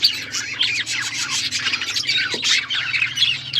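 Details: Pet budgerigars chattering in a dense, continuous stream of high scratchy chirps and warbles, many voices overlapping, with a faint low hum underneath.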